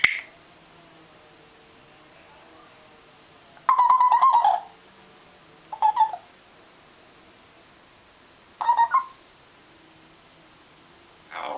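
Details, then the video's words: Captive African grey parrot known for imitating water sounds, noises and curses gives four separated bursts of buzzy, wavering mid-pitched notes rich in overtones, each lasting under a second, with quiet indoor pauses between them. "African grey cursing"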